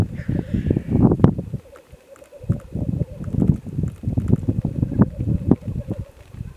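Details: Black grouse (Lyrurus tetrix) at an undisclosed mid-Wales site, very early on a dim February morning in 2018. A brief hissing sneeze opens the recording, then low, throaty bubbling coos pour out in waves with short pauses.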